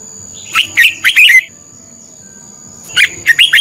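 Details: Contest song of a decoy red-whiskered bulbul, meant to train and excite other bulbuls: one quick phrase of bright, bubbling whistles, a pause of over a second, then another similar phrase starting.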